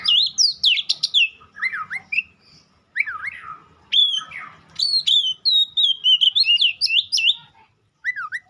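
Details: Rich, varied White-rumped shama song combining quick high chips with lower, fuller V-shaped whistles, phrases separated by short gaps, a light hum in the background.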